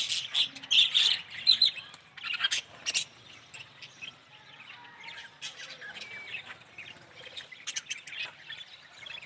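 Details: Chattering from a yellow budgerigar: rapid scratchy chirps and short squawks, loud at first, then softer warbling with brief whistled notes.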